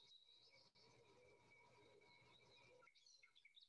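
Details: Garden Warbler song: a fast, even, mellow warble poured out without pause, deeper than a blackcap's and never reaching high notes; faint and softened by steady background hiss.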